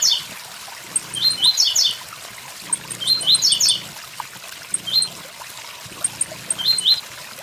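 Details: Tiziu (blue-black grassquit) 'tui tui zel zel' song with waterfall sound: high rapid chirped phrases, some shortened, repeated roughly every two seconds, with soft ticks and continuous running water.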